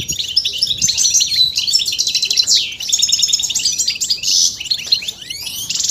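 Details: European goldfinch calls used to stimulate singing and mating readiness: rich, rapid twittering with buzzy trills, sweeping whistled slurs and sharp chips, almost unbroken for six seconds.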